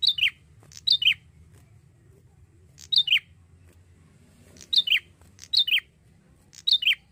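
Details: Young male Bar-winged prinia from Indonesia, singing actively as a lure recording: sharp paired high notes, each dropping in pitch, given in quick bursts of two or three with pauses between, over a low background hum.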